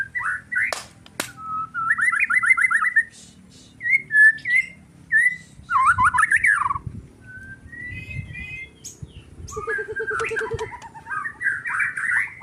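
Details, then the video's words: White-rumped shama in an agitated state, delivering scattered whistled and trilled phrases separated by short gaps, some buzzy rattles and a low repeated note series, with sharp clicks and indoor background noise. "MURAI BATU EMOSI"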